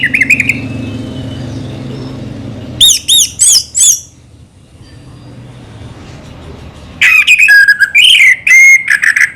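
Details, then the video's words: Orange-headed thrush, slow song: a short warbled whistle, then four looping high whistles in a row, a quiet gap, and a closing burst of rich, wavering whistled phrases. "burung anis merah selow"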